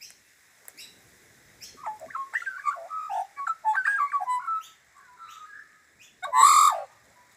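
An Australian Magpie gives a rich, flute-like burst of warbled and yodelling notes, rising and falling, with a harsher squawk at the end.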